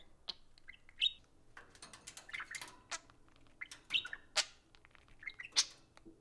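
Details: Budgerigar pair socializing during play time indoors, giving a busy, rambling chatter of clicks, scratchy squeaks and brief whistles.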